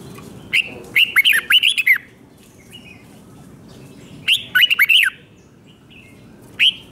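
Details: Five-syllable 'double 2, double 3' song of a red-whiskered bulbul from Thailand, meant for young birds to copy: a long bright phrase of bouncing whistles, a shorter repeat two seconds later, then one lone note.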